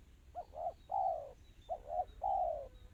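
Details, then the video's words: Spotted dove singing a fast, tightly packed song: two low cooing phrases, each two short clipped coos followed by a longer, level, drawn-out coo, against a faint hiss. "Suara burung tekukur kristal rapat cepat."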